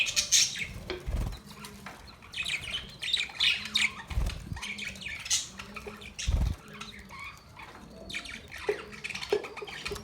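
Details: Budgies giving irregular squawky chirps and short chatter bursts, spaced unevenly, with several deep thumps and rustles between the calls.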